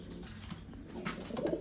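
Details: Pigeons aged eleven and eight years; a low throaty coo rises near the end after soft indoor background noise and light rustles.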